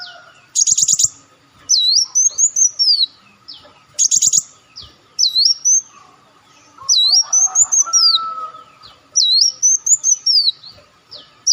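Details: Olive-backed sunbird call for attracting birds: alternating buzzy rapid rattles and high looping whistled phrases, repeated in regular bouts about every two seconds.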